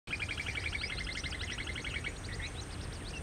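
Common babblers give a rapid, overlapping chatter of squeaky, trilling notes, several birds at once, over a steady low rumble of wind or traffic.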